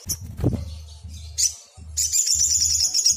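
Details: Excited sogon (black sunbird) calling to draw other birds into answering: high chips and a brief thud, then a dense, fast, piercing trill running to the end, over an intermittent low hum.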